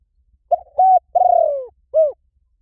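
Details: Spotted dove call used to lure wild doves: four soft, hollow coos, a short note, a flat held note, a longer drawn note sliding downward, then a brief arched final coo, over a quiet background.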